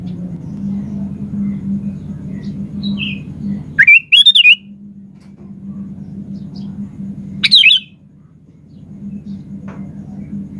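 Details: Sooty-headed bulbul, a lively 'gacor' singer used to draw other birds into answering, gives two short bubbly warbled phrases about three and a half seconds apart over a steady low electrical hum.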